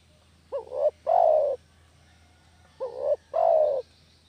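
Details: Spotted dove call used to lure doves for catching: two identical phrases, each a short rising two-part coo followed by a longer, slightly descending coo, repeated about two and a quarter seconds apart over a faint hum.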